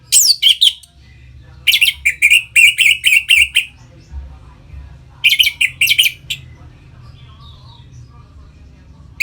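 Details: Orange-headed thrush song played to stimulate captive birds; loud bursts of quick, rich whistled phrases with sharp descending notes, separated by quiet gaps, with a faint low hum behind.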